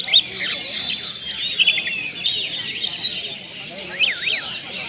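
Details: Kacer, the oriental magpie-robin, in captivity, singing a lure song that shows off its learned phrases: bright whistles and quick up-and-down sweeping notes in rapid bursts, separated by short, quieter gaps.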